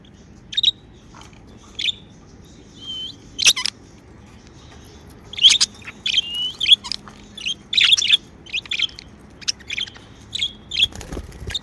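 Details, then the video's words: Happy budgerigars kept at home chirping: scattered high chirps at first, then a rapid run of chirps and short whistles in the second half, over a quiet room. "Happy Budgie Sounds | Chirping sounds | parakeets sound | budgie sounds"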